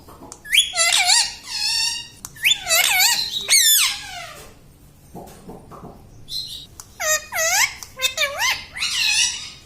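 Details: Green ringneck pet parrot mimicking words like mummy and papa indoors, in two bursts of rapid, harmonic, wavering syllables separated by a quiet pause.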